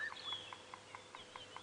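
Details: Distant, hollow territorial knocks from a bearded woodpecker at sunrise in an African game reserve, evenly spaced about five per second, alerting other bearded woodpeckers to its territory. A faint thin whistle from another bird sounds at the start.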